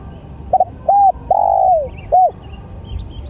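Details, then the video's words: A spotted dove coos once through its phrase: clipped doubled opener, short rounded note, long descending coo, single short final note. Faint chirps of other small birds appear high in the background afterward. "SUARA# TEKUKUR#INI#SANGAT#ENAK#DIDENGAR"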